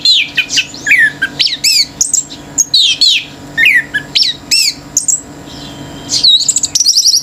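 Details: A male orange-headed thrush in unbroken, intense 'gacor teler' singing that rouses other birds: a dense stream of varied whistles, swoops and sharp chirps with barely a break, ending in rapid high trilled notes.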